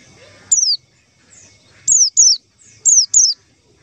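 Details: White-eye lure call used to attract white-eyes for trapping: loud, clear whistled notes sliding steeply downward, mostly given in quick pairs, five notes spread over a few seconds against a quiet background.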